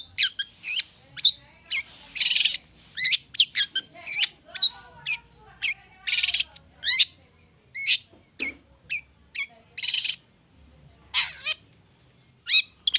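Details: Long-tailed shrike, known locally as cendet, singing a busy prompting song full of imitated phrases: rapid sharp chips, harsh rasping bursts and short whistled notes tumbling out in an irregular, energetic stream.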